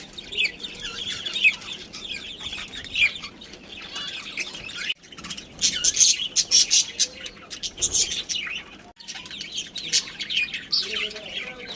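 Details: Budgerigar breeding pair keeps up continuous high warbling chatter, rapid twittered chirps rising and falling in loudness, with two brief pauses and faint background hum.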